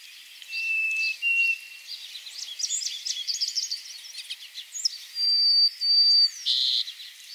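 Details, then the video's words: Harris's Sparrow sings long, clear, steady whistles, a lower pair and later a higher pair, ending on a buzzy note, with a jumble of softer chirps between. Its simple whistle song has one to three notes, sometimes with buzzy notes added. "Harris's Sparrow makes a simple whistle that can be between one to three notes sometimes it will also add Buzzy notes as well [Music] the"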